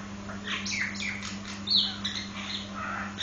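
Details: Nias hill myna singing a run of short squawky, slurred notes, then a sharp rising whistle-like squawk with a few fainter notes after it, with a constant low hum behind.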